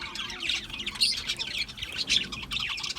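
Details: Budgerigars chirping with quick, slurred high warbles and whistled notes, a softer and more open chatter.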